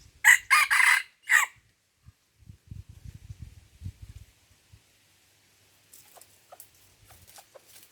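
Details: Red junglefowl in Lamteuba, Aceh, Indonesia, recorded during trapping with a decoy bird; a short, clipped crow of four harsh bursts within about a second and a half, followed by rustling in the undergrowth and faint high ticking.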